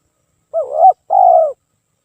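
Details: Spotted dove cooing as a lure, sung without pause: one undulating coo then a sustained, slightly descending coo, low-pitched and clear against silence.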